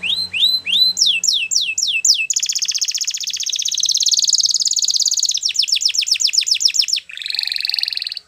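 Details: Canary singing a training song for youngsters: a few swooping upslurred notes, then sharp descending strokes, a sustained rapid rattling roll, a quick run of falling notes, and a lower, dense buzzing trill at the end.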